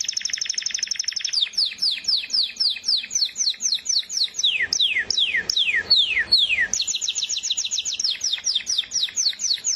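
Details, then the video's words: Canary pouring out rapid repeated notes, then a long series of descending whistled sweeps, some deeper and louder, before returning to quick rhythmic trills. "زقزقه العصافير طيور الكنار كناري"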